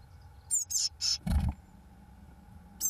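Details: Fledging blue tit chicks on day 21, 1 June 2012: three quick high squeaky calls, a heavy bump, then one more thin call near the end.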